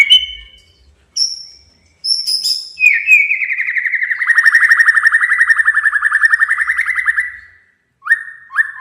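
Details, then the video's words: White-rumped shama male provoking a rival: brief high whistles, then a long rapid trilled phrase held steady for about four seconds, ending with short upslurred whistles. "Suara kicau Murai Batu Panggil Lawan agar EMOSI DAN KELUARKAN ISIAN!"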